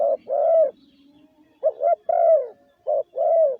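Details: Lure call of a caged decoy spotted dove, 'gáy gù' style: mellow hollow coos in three paired phrases, a clipped note then a sustained falling one, with a pause after the first phrase.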